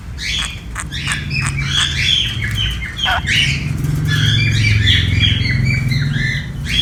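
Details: Sun conure kept as a pet, squawking harshly and repeatedly while playing, calls coming in fast irregular bursts over a loud low rumbling background.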